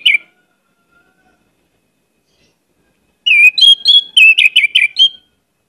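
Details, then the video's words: Rich, energetic song of an orange-headed thrush, recorded as lure audio: a single short note, a long quiet gap, then a two-second stream of fast, rolling whistles and slurred notes with many variations. "pancinagan anis merah gcor banyak isian"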